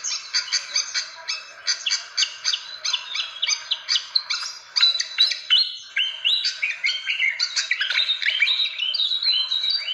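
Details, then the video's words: Fantail lure call for attracting birds: rapid series of short, bright chirping notes, repeated densely, some rising and falling twitters, with a faint steady low hum underneath. "SUARA PIKAT BURUNG KIPASAN SIKATAN Ampuh"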